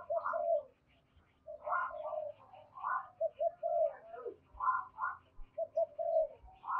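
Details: Quieter recording of a decoy spotted dove cooing, giọng thổ sấm style, to lure wild doves: repeated paired coo phrases at fairly even intervals over a low background hum.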